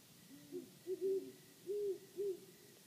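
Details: Several low hoots from great horned owls, a faint lower hoot leading into a rhythmic run of short and longer muffled notes, the loudest drawn out near the middle; a second, quieter voice overlaps early on.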